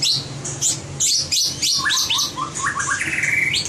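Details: Training recording of white-rumped shama competition song: clusters of high bright notes, then lower clipped phrases and a fast buzzy trill at the end, over a faint low hum.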